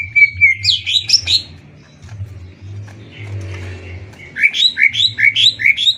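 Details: Contest singing of greater green leafbirds, Banyuwangi bird versus Kalimantan bird; bursts of quick rising whistled notes repeated in series, a quieter middle stretch, then another run of repeated upslurred whistles.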